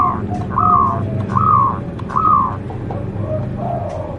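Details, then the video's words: Local zebra dove in song, described as having a big voice: soft, slightly rising cooing notes repeated a little over once a second over a low rumbling background. "perkutut lokal gacor Suara Besar Suara Ampuh bikin Manggung"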